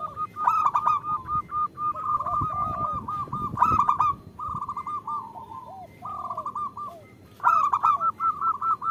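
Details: Zebra dove hen calling the male, a lure for local males: fast runs of even, soft cooing notes in several bursts, with a few lower coos between and light background rustle.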